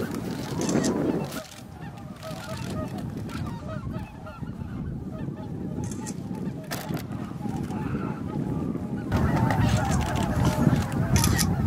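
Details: Evening roost flight of greater white-fronted geese at Miyajimanuma marsh in Bibai, 11 April 2016, around 18:00–18:30, some 15,000 birds. Continuous massed honking, growing louder and denser after a quieter middle stretch, with low rumbling noise.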